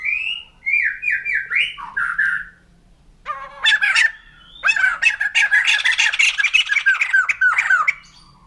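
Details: White-crested laughingthrush (poksay jambul putih): a stepped run of falling whistled notes, a pause, then a swelling outburst of rapid, raucous laughing chatter that fades at the end.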